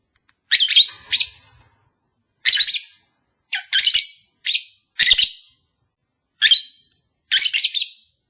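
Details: Captive lovebird calls played to make a pair mate sooner: irregular series of harsh, high scratchy chirps, single and in doubled bursts, spread across several seconds.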